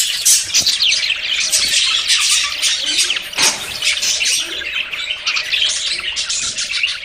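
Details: Budgerigars courting and about to breed chatter steadily in high chirps and rasping notes, with a few louder sharp clicks and brief soft wing flutters amid the flock noise.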